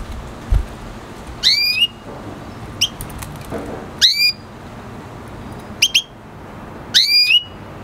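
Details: Red hooded siskin hybrid, an F1 cross with a canary, giving drawn-out rising whistled notes with a sharp upward sweep, repeated about every one to two seconds with short chirps between, over a quiet background.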